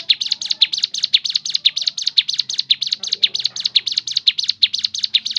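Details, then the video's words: Steady, fast series of high, sharp chirps from a crescent-chested babbler, repeated evenly for over five seconds, used as a natural lure to get other birds singing. "BUNYI FARIASI CIBLEK GUNUNG SUARA ASLI ALAM..!! cocok untuk memancing bunyi ciblek gunung bahan"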